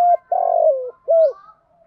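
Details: Spotted dove singing: a short hooded coo, then a long burry purring note sliding downward, and a final arched coo.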